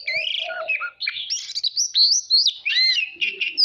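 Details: Caged oriental magpie-robin in long song, stimulated to sing in a contest: a rich run of clear whistled slurs, warbled rising and falling notes and a few low fluty tones, continuous with little pause.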